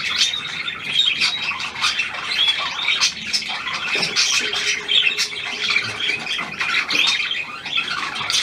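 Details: Steady budgerigar warbling, with a new hand-tame pied bird among them, 17 February 2023; busy high chirps and whistles, plus a faint steady low hum midway.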